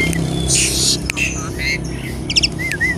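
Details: Asian pied starling song used as a lure to get other starlings singing: a jumble of harsh buzzy bursts, clear rising and falling whistles and quick chattering notes, over a steady low rumble of traffic.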